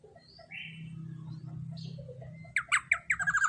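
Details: Black-naped oriole in the 'tembakan panjang' long-shot song style, a lure used to train other songbirds: a low steady hum and a thin whistle, then a loud burst of quick, harsh, ringing notes.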